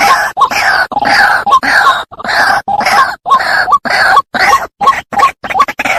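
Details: Trapping lure of the White-breasted waterhen: rough, nasal grunting notes in quick repeated bursts, close and loud, about one burst each second.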